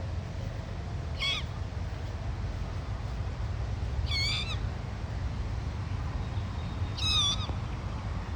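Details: A dusky moorhen chick, foraging with siblings and a parent on lawn by a lake, gives three short, high, wavering squeaks about three seconds apart over a steady low background rumble.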